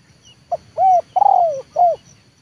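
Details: Spotted dove trained for luring, the 'leopard' type, working to draw wild birds down to the ground. One clear four-note phrase: a short coo, a steady drawn coo, a long falling coo and a closing short coo.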